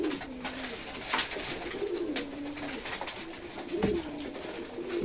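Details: Pigeons at feeding time on a foggy winter morning, giving low, steady humming coos that rise slightly and fall, alongside faint rustles and a soft tap.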